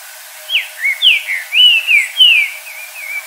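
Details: Wild green-winged saltator singing at dusk in nature, in the 'virando canto' style: a phrase of loud, clear whistled notes, each slurring downward, about seven in quick sequence, with the last few softer and lower. There is faint background hiss.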